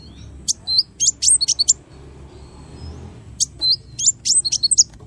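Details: High-pitched small bird song in 'tembakan' variation style: a cluster of sharp rising and falling chirps, a gap of over a second, then another quick string of bright whistled notes.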